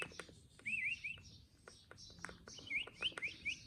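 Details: Parrot vocalizing with quiet, wavy whistled phrases that rise and fall, given in two short bursts separated by clicks and soft taps, over faint low background rumble.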